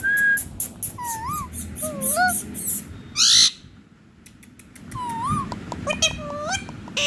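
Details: Ringneck parrot kept as a pet, singing and dancing, pours out wavy whistled phrases that rise and fall, broken by one harsh screech midway. After a quiet gap the bird resumes with more looping whistles.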